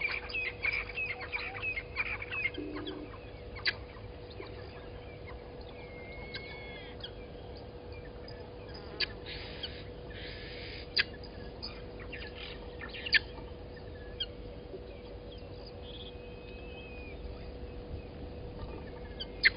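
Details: Helmeted guineafowl at Gowrie dam waterhole, Djuma Game Reserve, Sabi Sand, South Africa, at 17:31 on 18 October 2020, give scattered harsh, clucking notes over a steady low hum.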